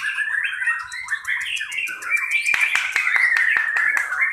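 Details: White-rumped shama in a 'pastol' class contest simulation, giving varied chattering notes that give way to a long, steady whistled note over sharp repeated clicks.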